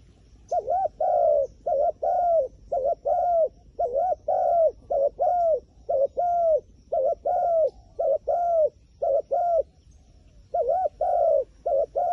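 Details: Long run of rhythmic pigeon coos, wild bird, short-long note pairs repeated around once per second, with a brief pause near the end before cooing resumes.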